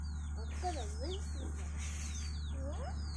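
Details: Chicks following their mother hen while searching for food in a village, giving a steady stream of high, thin, down-slurred peeps, several overlapping, with lower curving notes beneath and a constant low hum.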